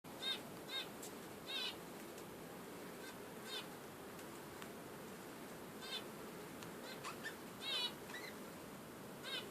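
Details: Budgerigar giving short, harmonic chirping calls scattered through the recording, some single and some in quick pairs, over a steady background hiss.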